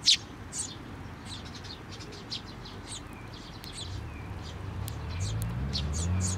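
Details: Eurasian tree sparrows with a chick, coming to a hand to be fed at a Tenmangu shrine on 17 May 2024; thin high chirps scattered throughout, with a low rumble growing toward the end.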